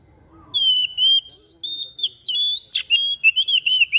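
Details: White-breasted bird singing an unusual song used for tutoring other birds: after a quiet start, a long series of bright whistled notes with slight slurs, one harsh rasping burst in the middle, then quicker clipped whistles toward the end.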